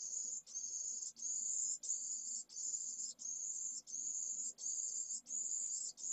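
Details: Newly hatched pallid swift nestling from a second clutch calls insistently for food at its nest in Jerez de la Frontera, Spain, in 2022. High, sibilant, drawn-out notes come in a regular series with brief gaps between them.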